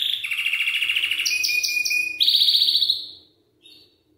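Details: Song of a Belgian canary, meant to prompt young canaries to sing: a rolling mid-pitched trill over a thin held whistle, then a higher, sharper rapid trill that stops abruptly, followed by a brief faint note.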